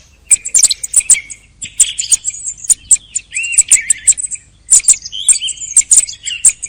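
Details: Thrush singing late in the hunting season, with dense bursts of shrill ticking notes mixed with slurred warbling phrases, grouped in quick clusters separated by short silences.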